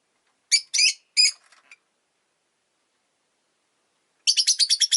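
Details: Rosy-faced lovebird chirping: three harsh, buzzy high chirps followed by faint ticking, a pause of over two seconds, then a quick burst of about seven rasping chirps.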